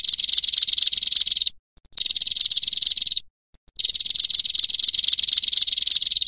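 A female prinia gives long, rapid, dry ticking trills, high-pitched and steady, in bursts of about one to two seconds separated by brief pauses.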